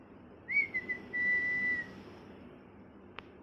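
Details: Pet parrot, moulting and missing feathers, gives a single clear whistle that opens with a quick upward slide, then holds a steady tone for over a second, followed by a soft click.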